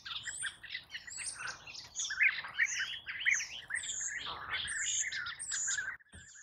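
European bee-eaters calling together: a dense, continuous chatter of short, rolling, liquid chirps, overlapping and repeated many times a second.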